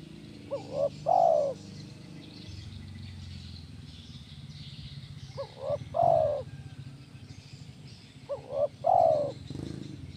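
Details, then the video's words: Tekukur, or spotted dove, repeating its kuk 1 song for training birds: three phrases roughly every 3.5 seconds, each two short hoots then a sustained warm coo, over a steady low hum. "SUARA BURUNG TEKUKUR KUK 1 GACOR"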